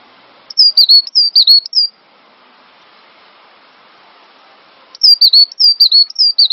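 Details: Cinereous tit song used as a master recording for training songbirds: bursts of high, clear whistled notes, each dipping then rising, repeated rapidly in two phrases separated by a quiet pause.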